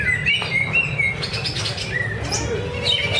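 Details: Greater green leafbird at a practice singing contest in Cikunir. Clear, level whistled notes are spaced apart and followed by quick chirps and a falling slur, over a low hum.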